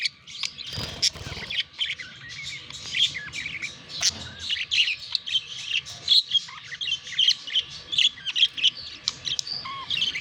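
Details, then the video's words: Budgerigars courting and mating, an unbroken flow of fast, twittering, buzzy chatter, with a rustling noise near the start. "Passionate Budgies: The Mesmerizing World of Budgie Mating Revealed!"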